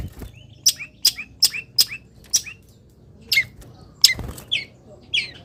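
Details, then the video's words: Long-tailed shrike, caged and singing after morning misting in the sun, giving a quick run of sharp high chirps followed by softer, spaced slurred notes over steady low background noise. "BURUNG CENDET SANGAT BAHAGIA KETIKA DI EMBUNKAN DAN KENA MATAHARI PAGI - CENDET GACOR FULL ISIAN"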